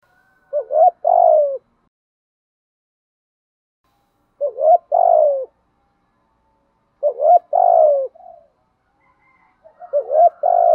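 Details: Spotted dove used as a decoy, cooing in the gù thúc urging style: four phrases spaced about three seconds apart, each two quick rising notes and a long falling coo, with silence between.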